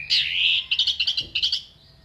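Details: Orange-headed thrush producing a sharp fill-in phrase for contest-bird tutoring. A loud sustained warbled whistle leads into a fast string of about a dozen crisp, evenly spaced chirps that then fades.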